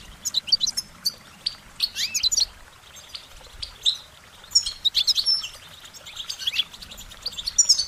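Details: Goldfinch song: a lively series of short, high warbling notes and quick upward-sweeping chirps, delivered in clustered bursts with brief pauses between them.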